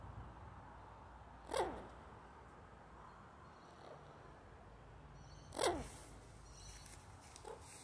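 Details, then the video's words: A 4-year-old male turquoise-fronted (blue-fronted) amazon gives two brief, harsh, falling squawks about four seconds apart, with steady low room hum between them. "Blue fronted Amazon"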